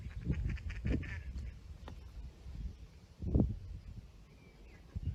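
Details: Mallards, including a male, flying over rough ground near a canal in Ireland in late spring: a few rough, nasal quacks spaced a second or two apart, against low rumbling wind.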